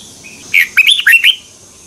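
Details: Red-whiskered bulbul singing a double twisting morning training song, used as a lure for training: one brisk phrase of four or five slurred, bouncing whistles lasting under a second.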